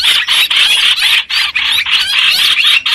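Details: Streak-eared bulbul recorded as a lure sound for bird trapping: dense, harsh chattering notes in rapid bursts, nearly continuous for three seconds, with brief gaps between phrases.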